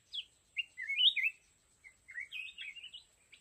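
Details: Red-whiskered bulbul used as a decoy in a fighting trap sings a quick string of slurred, rising and falling whistles, two phrases back to back, over a thin constant high-pitched hum.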